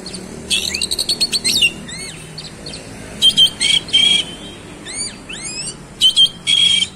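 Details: Oriental magpie-robin in lively, varied song: a quick run of short ticking notes, then bright rising and falling whistled slurs alternating with harsh buzzy bursts and sharp pure tones.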